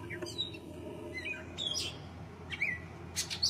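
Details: Gray catbird (Dumetella carolinensis), song.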